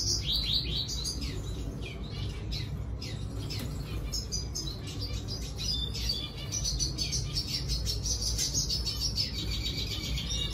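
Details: Red siskin song: a busy, continuous twittering of quick chirps and short trilled phrases, high and jumbled, over a steady low rumbling background noise.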